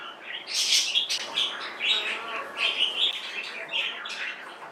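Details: A Silkie hen, whose calling seems changed since waking, gives an odd run of high, thin chirps, three or four a second, each a little squeaky and uneven; recorded 25 June 2024.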